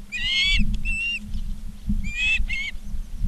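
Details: Osprey calls from a Charlo, Montana live cam, 19 August 2023 at 16:05: two pairs of rough, harmonic-rich squealing chirps, each pair a longer note then a shorter one, over low wind rumble.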